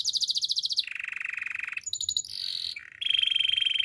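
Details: Canary singing a training song: a bright fast trill drops to a lower buzzy roll, then brief whistles and a wavering rattle, ending with a loud steady pulsed trill.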